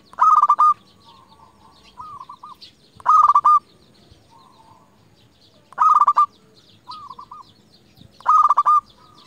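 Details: Zebra dove of local stock, a lure for calling rivals and raising mating drive: four loud, clipped phrases of quick repeated coo notes about every three seconds, each answered by a softer, more distant coo.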